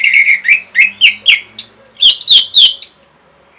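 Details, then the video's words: Orange-headed thrush song for training caged birds to sing: a rhythmic series of short downslurred whistles, about four per second, then higher sharp notes, over a faint low hum. "MASTERAN & PANCINGAN ANIS MERAH GACOR INI ATASI BURUNG MACET BUNYI"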